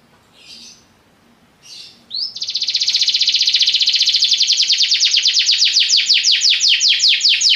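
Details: Belgian canary preceded by two faint chirps, then a rising slur leading into a long fast trill that gradually opens into distinct falling strokes, loud and high throughout.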